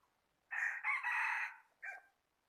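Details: A rooster crows, recorded 8 January 2020: a strong, harsh four-part crow with two short rising syllables, a drawn-out held note fading at the end, and a clipped final note, with only quiet background.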